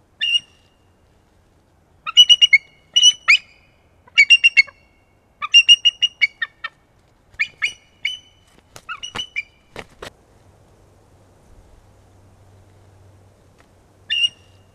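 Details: Bald eagle Anna at a Kisatchie National Forest nest, continuing to fight, gives high, thin chittering calls in rapid bursts of four or five squeaky notes.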